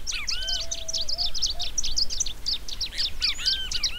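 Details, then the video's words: Long-tailed reed finch in vigorous song, pouring out quick high chirps and twittering notes almost without pause, with occasional arched whistles below and a long thin low whistle early on. "Tico-tico-do-banhado_ cantando muito!!!"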